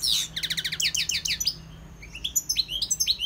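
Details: Goldfinch song, a quick run of sharp, repeated high chips followed by tinkling, varied twitters and short rising slurs, all delivered at a lively, rapid pace.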